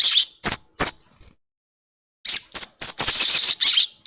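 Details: Crested jay chatter used as a lure for other birds: a few sharp, high notes, then a pause, then a dense, fast rattle of harsh, high-pitched pulses.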